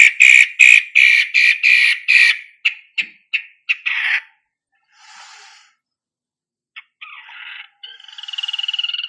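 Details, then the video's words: Singing long-tailed shrike used to coax other birds into loud song; a fast burst of rasping, chattering notes that slows and breaks up, then faint scratchy fragments and a final trilled phrase. "Pancingan Cendet Matahari Gacor"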